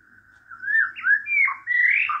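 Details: White-rumped shama singing in the wild: rich, fluid whistled phrases that swoop up and down, with a bright rising flourish at the end, all against a quiet background.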